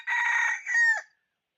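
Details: Trapping decoy red junglefowl cock crowing in January 2021: a rasping, sustained first section followed by a clearer, drawn-out tonal ending that drops off abruptly.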